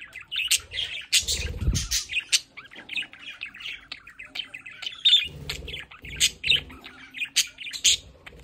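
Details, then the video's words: Pet budgerigars at home by a window, several birds chattering together: dense scratchy squawks and warbled chirps, with low thumps and handling noises around the second mark and again near five seconds. "Sonidos para Periquitos Australianos en casa"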